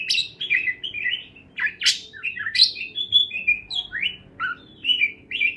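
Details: Several parakeets keep up a continuous twittering of short chirps and bright squeaky notes, rising and falling in quick, uneven sequence.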